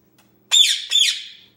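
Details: Young 10-month-old male Indian ringneck parakeet kept indoors, playing by himself and starting to talk; two loud, harsh, rasping squawks about half a second apart, the second trailing off slowly, in a quiet room.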